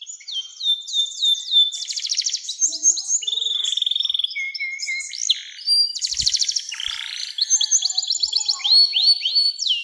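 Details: Canary performing long 'nembak' song, meant to draw young canaries into singing: varied high whistled phrases, long fast rolling trills and buzzy bursts, with a brief low thump midway.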